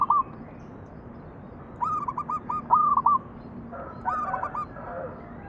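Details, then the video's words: Local zebra dove singing as a lure for other doves: stuttering runs of hooked coo notes over a steady low background hum, with a brief louder burst of overlapping sound late on. "PANCINGAN BURUNG PERKUTUT MANGGUNG"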